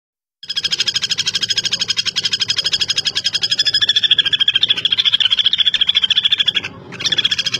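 Common flameback giving a long, fast, high rattling trill of sharp metallic notes, about three per second, with a brief pause near the end.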